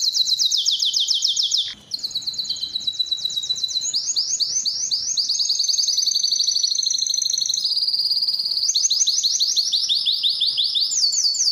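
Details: Belgian canary song meant to excite hens for mating: high, fast trills roll on almost without a break, shifting between steady rattling runs and swooping repeated notes after a short gap near the start.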